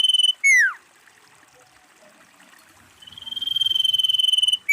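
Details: Female common iora calling, used as a lure for trapping. Clear high whistles: a steady tone, a downward-sliding slur, then a long, fast-pulsed whistle that swells in loudness, followed by another falling slur. The background is quiet.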